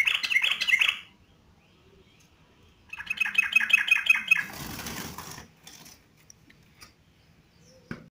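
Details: Yellow-vented bulbul singing energetically: two short bursts of quick, repeated, whistled notes at a steady high pitch, separated by silence, then a rush of wing-flapping noise and a few faint clicks.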